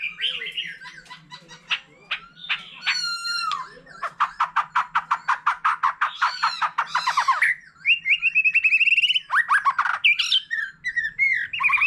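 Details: Long many-voiced performance from a mature forest-caught white-rumped shama with a laughingthrush: whistled phrases, a long rapid series of sharp ticking notes, then bright sliding whistles and rolling phrases.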